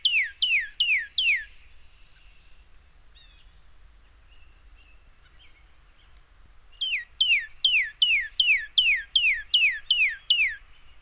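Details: Northern Cardinal song in a southern Maine backyard in late March, early spring: a run of loud, clear down-slurred whistles like laser-gun zaps, four quick notes, a pause, then about ten more at a steady pace.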